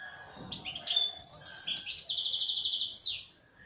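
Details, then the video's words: Local European goldfinch from Algeria, once kept by its owner, sings one continuous high phrase of liquid twitters that runs into a sustained buzzy trill and fades out. "تغريد حسون محلي جزائري ( تاع سيكتور )"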